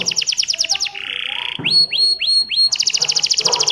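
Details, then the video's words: Canary song meant to set other canaries singing: a fast trill of repeated high notes, a buzzy rasping note, several rising sweeping whistles, then another rapid high trill. "Kenari Gacor Cengkok Merdu Sekali putar Kenari lain ikut Gacor bunyi"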